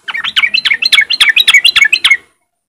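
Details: Lure song of a sooty-headed bulbul in riwik style, meant to prompt other untrained bulbuls to sing: a fast, regular burst of around fifteen sharp, down-slurred chirps over two seconds, then silence.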